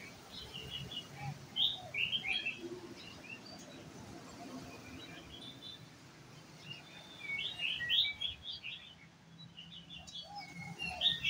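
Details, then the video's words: Red-whiskered bulbul (white-cheeked) taken to a coffee shop: bursts of bright, chirpy, warbled notes in short clustered phrases, separated by quieter gaps, over steady low background rumble and faint voices. "chào mào má trắng đi cà phê"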